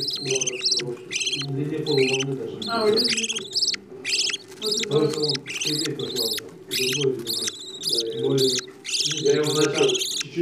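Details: Budgerigar parents feeding their chicks; dense runs of scratchy, wheezing begging calls repeat rapidly, some rising in pitch, over continuous low gurgling feeding sounds.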